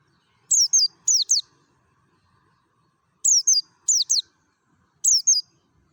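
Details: Mountain white-eye of the Merapi type, wild-style lure song: paired and tripled thin high chirps, each slurring steeply down, delivered in two bursts and a closing pair, with clean quiet background.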